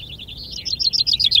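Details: Common chaffinch singing at a finch-singing contest (vinkenzetting) in Ardooie: a brief, high, quickly repeated trill that climbs and grows louder toward its end, with faint low background rumble.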